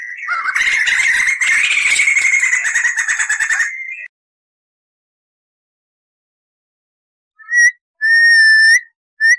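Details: Tutor recording of crested laughingthrush: a fast rattling roll lasting about four seconds, silence, then several clear, pure whistled notes, one held and slightly rising.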